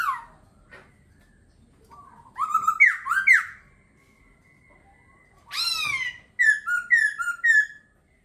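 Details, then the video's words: Laughingthrush song of ringing, slurred whistles, some falling, some rising and bouncing, in two lively bursts separated by quiet, ending in a rapid series of short repeated whistled notes; little background noise. "Khướu hót hay."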